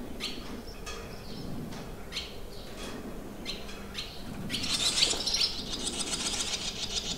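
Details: Barn swallows at a countryside campsite in Limousin, France, on 25 June 2023, giving quick chirps and twitters at about three per second, swelling into a dense, harsh burst of high chatter over low background rumble.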